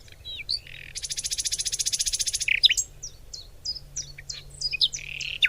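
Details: Singing birds outdoors: a long, even, buzzing trill of about one and a half seconds stands out, then comes a string of short high whistled chirps and a brief warbled phrase.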